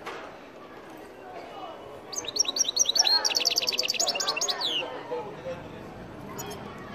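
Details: Algerian goldfinch singing: after two seconds of quiet background hum, a burst of bright, rapid twittering with liquid, high tinkling notes and short trills lasts nearly three seconds, then fades back to low ambient noise.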